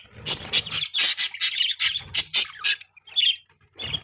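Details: Pet parakeets give a series of sharp, squawky high chirps in quick bursts, then a few softer scattered warbles.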